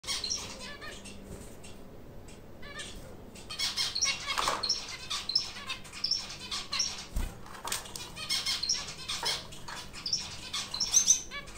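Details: A pair of white English zebra finches building a nest with burlap fibres give short, high, nasal squeaks and beeps scattered through the clip, over rustling and fluttering wings with a faint low hum.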